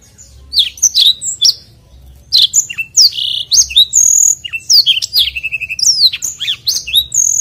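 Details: Long rolling song of a black-throated canary, recorded for training other birds: quick high twittering notes, down-slurred whistles and a short buzzy rattle, flowing almost without break after a brief opening pause.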